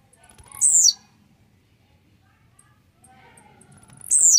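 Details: Blue-black grassquit (tiziu), described as grumpy and full of spirit, singing a warm-up song: two short, buzzy, very high phrases sliding downward, about three and a half seconds apart, with faint low rumble between.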